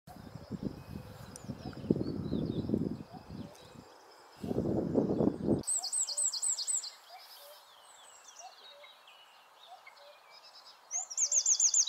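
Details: A territorial Eurasian wren sings constantly near a perched common shrike: very high, fast rattling trills in loud bursts, after several seconds of low rumbling noise, with faint high chirps in the background.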